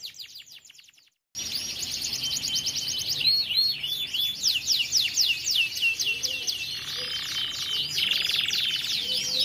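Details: Canary nonstop roll song used for training young birds: after a brief silence, a dense, high, continuous stream of rapid trills and sweeping whistled notes, changing tempo, with a steady buzzy rolled section near the end.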